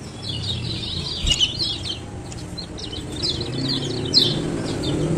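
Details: Fainter high chirps from a male kecial kuning (lemon-bellied white-eye) of Lombok, scattered over steady low rumbling background noise, with a sharp click near the start; intended to prompt idle birds to sing.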